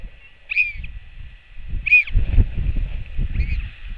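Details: Royal albatross chick on a nest camera in New Zealand, greeting its returning mother with a skycall, 24.06.08: three short arched, harmonic-rich cries spaced about 1.5 seconds apart over low rumbling wind.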